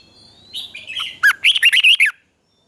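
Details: Red-whiskered bulbul, Thailand, southern master-style song meant to rouse caged birds and tutor young birds: soft introductory warbles build into a loud, rhythmic run of about seven bouncy, up-and-down whistled notes.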